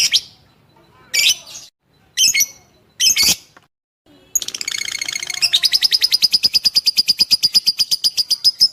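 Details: Lovebird fighter song, played to shape lovebirds into fighters, ideally while they sleep: a few short, harsh chirping bursts, then a long, fast, rhythmic run of shrill, high chattering notes.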